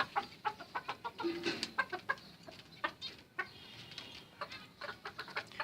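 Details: Zebra finches (Taeniopygia guttata) fighting in a home aviary setup trade rapid, nasal, clipped aggressive calls in an irregular burst of squabbling.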